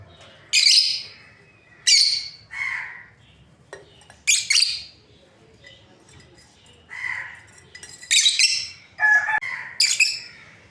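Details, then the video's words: A breeding pair of lovebirds trading scattered high, grating chirps and softer lower squawks, irregularly spaced with short pauses and a few doubled notes toward the end. "Lovebirds parrot chirping sounds | breeding pair"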